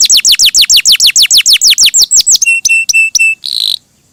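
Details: Canary in full, melodious song: a steady run of about twenty downward-sweeping whistles, a few ringing level notes, then a harsh buzzy phrase before falling silent.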